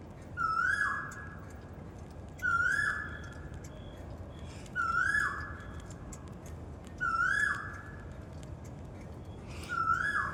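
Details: Asian koel in a park at Janakpur singing loud, rising two-part whistles, "ko-el", repeated five times about every two seconds, over a steady low background hum.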